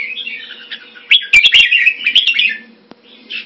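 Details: Caged red-whiskered bulbul, Singapore, kept Thai style, February 2018, singing a quick, rolling whistled phrase. Loud clicks and rattles interrupt the middle, and the phrase ends with a brief final note.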